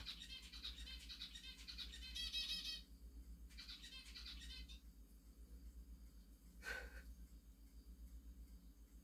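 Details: A zebra finch gives quick, nasal, buzzy chirps in rapid bursts over a low indoor hum, chirping in response to a finger tapping on a bowl.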